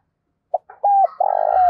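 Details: Cooing from a decoy spotted dove meant to stimulate wild doves: a short note, a smooth level coo, then a long purring trill that breaks off abruptly with a knock.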